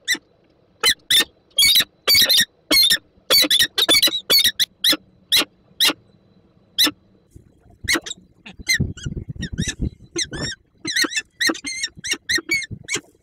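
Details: Peregrine falcon pair meeting at the nest in Słupsk, Poland, on 5 April 2022 after a prey gift is left: a run of loud grating calls, then quicker, higher squealing chitter with soft rustling below.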